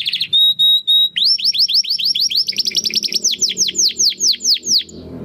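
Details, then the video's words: Domestic canary song recorded to train competition birds, crystal-voice style: a short trill, two clear steady whistles, then a long series of rising and falling swept notes, with low background rumble throughout. "Kenari Gacor Suara Kristal Buat Masteran Burung Gantangan"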